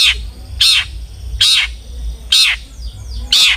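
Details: Long-tailed shrike, as a lure for other shrikes, uttering loud grating squawks spaced about a second apart, with a low hum beneath.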